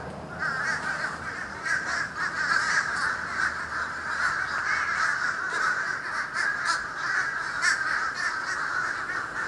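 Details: A huge flock of birds passes over Florida on 31 December 2011, darkening the sky, caught on a camcorder: a dense, unbroken din of many overlapping harsh calls, steady throughout with no single voice standing out.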